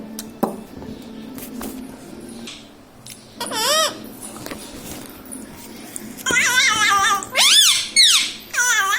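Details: Talking pet parrot taught to say mummy and papa: after a quiet start with clicks, one rising-falling syllable, then a cluster of loud, harsh, wavering word-like calls toward the end.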